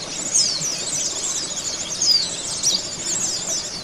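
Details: Oriental white-eye (pleci) song used as a training recording to bring a caged bird into full song: rapid, crowded high twittering with sharp down-slurred notes throughout.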